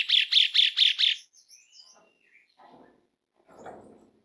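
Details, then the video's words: Asian pied starling call, used to stimulate other starlings to sing: five loud, harsh, high-pitched notes in quick succession, followed by softer whistles and scratchy chatter. "SUARA PANGGILAN JALAK SUREN"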